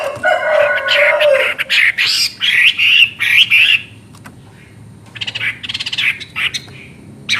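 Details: Chinese hwamei in loud, lively song: a low drawn whistle, then rapid looping whistled phrases repeated about three per second, a pause, and further bursts of varied notes.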